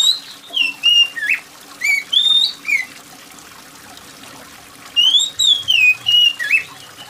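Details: Oriental magpie-robin singing loud, shrill phrases of whistled notes sliding between mid and high pitch, some scratchy squawks, in two bursts with a quiet gap, over a steady background of trickling rain water.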